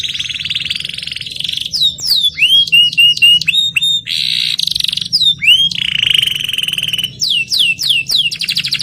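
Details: Canary singing in a fast, varied string of sweeping whistled notes and buzzy trills, with dense chirps repeated about four per second and short pauses between phrases.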